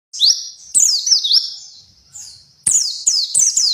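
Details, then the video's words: White-eye from the town of Kuningan, West Java, sings in high, thin bursts: sweeping, slurred whistles and rapid twittering phrases, with a short quiet gap mid-way before more loud, tumbling notes. "Burung Pleci Asli Dari Kota Kuningan Jawa Barat"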